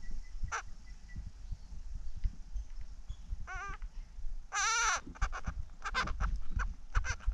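Carnaby's black cockatoo nestling gives harsh, quavering, bleat-like begging calls, one short then one drawn-out, followed by quick rasping bursts over a low rumble.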